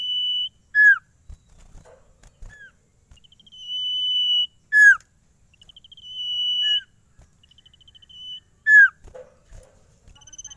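Common Iora giving long, level, high whistles, each ending in a sharp downslurred note, repeated about every four seconds, with faint soft chirps between.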